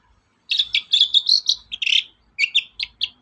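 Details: Long-tailed shrike singing as a lure to draw song from other birds: a fast, varied chatter of short high twittering notes, a brief gap, then several sharper clipped chirps.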